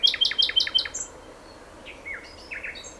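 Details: Nightingale song opening with five rapid emphatic repeated notes, followed by a high whistle, then slurred descending whistles and short sharp notes after a brief pause.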